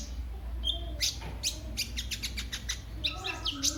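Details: Sunbird (kolibri ninja) singing energetically as lure and tutor material for cage birds: a thin whistle followed by dense bursts of high, rapid chirps and twittering, uneven in rhythm, over a constant low hum.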